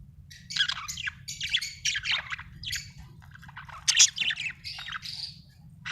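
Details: Budgerigar chirping: a busy stream of rapid, scratchy warbles and short squawks, some notes sliding and rising, with brief louder bursts. A steady low rumble runs underneath.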